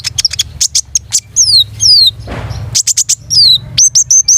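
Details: Lively long-tailed shrike song: rapid sharp high ticks mixed with repeated descending slurred whistles, interrupted midway by a brief rushing noise, over a faint low hum.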